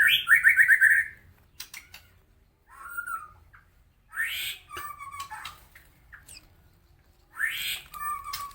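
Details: White-rumped shama of the Medan type singing roughly as a tutor for other birds: a fast burst of rapid whistled notes, then scattered clicks, harsh buzzy notes and short slurred whistles separated by pauses.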